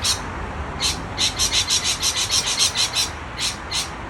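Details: Lorikeets in an excited state give a quick run of about ten short, shrill, scratchy screeches in a row, framed by a few single squawks before and after.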